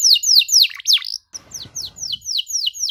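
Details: Canary in song for training young birds: bright descending whistled notes repeated roughly every quarter second, a short gap with faint low background rumble, then the falling notes resume in a steady series.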